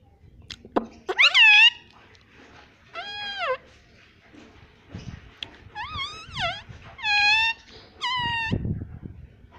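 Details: Pet parrot indoors, said to be talking and saying "Mummy": loud, high, harmonic syllables bending up and down, in paired bursts around one second and again near six to eight seconds, with quiet room noise and soft clicks between.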